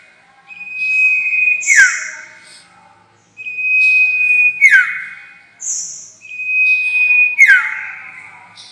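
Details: A sirtu lure sound for trapping: three phrases, each a flat sustained whistle that snaps into a falling sweep, with hissy higher bursts between them, every few seconds.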